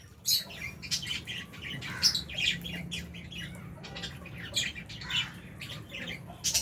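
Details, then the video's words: Lovebirds, albino and Fisher's, feeding in an aviary alongside budgie parrots; rapid high-pitched chirps and harsh squawks scattered through the clip, several birds calling at once over a faint low hum. "Lovebirds Chirping Sounds"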